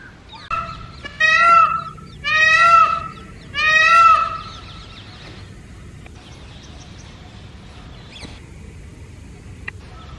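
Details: Male Indian peafowl, wild, perched on top of a house at early morning, giving three loud, ringing nasal wails in quick succession about a second apart, each rich and brassy, followed by quiet with a few faint clicks.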